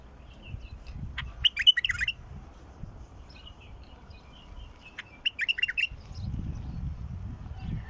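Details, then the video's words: Bulbul song from a mukhallaf adult, meant to coax a quiet bulbul into song: two lively warbled phrases of quick, liquid notes with scattered chirps between them, against low rumbling noise. "تغريد بلبل مخلف يفتح البلبل الساكت"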